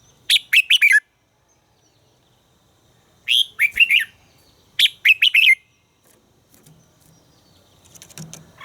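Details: Red-whiskered bulbul in song training: three lively phrases of four or five quick, downslurred whistled notes about every two seconds, then faint background rustling and soft chatter.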